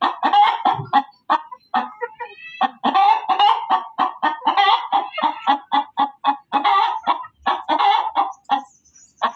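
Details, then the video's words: Hen cackling loudly, a long unbroken sequence of fast, harsh, nasal clucks with a few stretched, slightly rising notes mixed in. "SUARA AYAM BERKOKOK KERAS || suara ayam berkokok betina"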